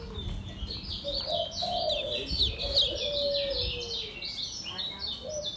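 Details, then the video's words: Caged kecial kuning Lombok white-eye in continuous ngejos song: an unbroken stream of high, buzzy chirps repeated almost three times a second, over drawn-out low whistles and faint background noise. "SUARA KECIAL KUNING LOMBOK NGEJOS SELOW"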